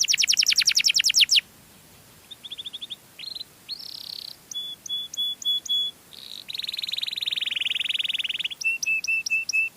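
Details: Canary song for luring other canaries, made of varied tours: a brief fast trill, then short buzzy bursts, flat pure whistled notes repeated in steady series, a sustained buzzy roll, and more level piping notes.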